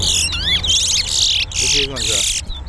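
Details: Towa towa, the chestnut-bellied seed finch, competing in a singing race at Harbour Bridge: sharp whistled slurs broken by loud bursts of broad hissing noise, with a deeper buzzy rising phrase near the end.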